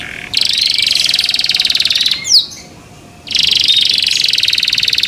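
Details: Canary in care singing to stir other canaries: two long, rapid, buzzy rolled trills split by a pause holding a single quick falling note.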